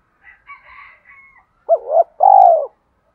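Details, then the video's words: Spotted dove goading a wild rival to fight; faint higher chirps from other birds at first, then a low double coo and a long rolling coo. "Tiếng chim cu gáy thúc đấu với bổi nhanh về cội. gáy gọi hai hậu"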